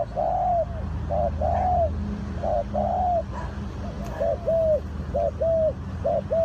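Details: Spotted dove from Ninh Thuận, linked to bird trapping, giving mellow arched coos in short two- and three-note phrases, repeated steadily over a low background hum.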